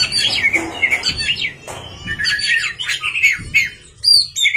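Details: White-rumped shama singing at night, a lively stream of varied whistled and chattering phrases at mid to high pitch, with brief pauses and a quieter stretch in the middle.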